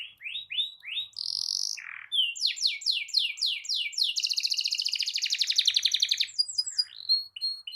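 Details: Canary singing a long rolling song to provoke other canaries: short sweeps and a high whistle, then rapid downslurred notes blending into a dense buzzy roll lasting about two seconds, ending with soft chirps.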